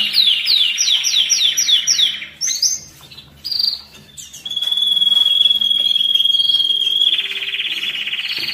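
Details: Canary singing to excite and stimulate males and prepare females for breeding. A fast, high trill of repeated notes runs for two seconds, then broken phrases and a long steady whistled tone, ending in a buzzy rolling note.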